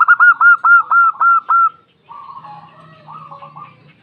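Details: Female zebra dove, a local perkutut, with a sharp sighing call: a loud run of about eight evenly spaced hooked coos, followed by quieter bubbling answers and a low hum.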